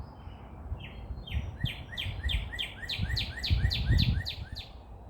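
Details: Sunrise birdsong in Dallas, Texas: a long series of loud, sharp downslurred chirps, roughly four per second, with a faint high whistle at the start and low rumbling noise beneath.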